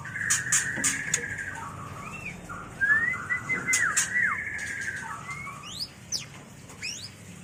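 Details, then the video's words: White-rumped shama mating call used for training and luring birds: clear whistled phrases with rising and falling slurs, some notes repeated, mixed with sharp clicking chips and a low background hum. "Suara murai batu kawin paling ampuh untuk terapi dan pikat burung agar cepat gacor"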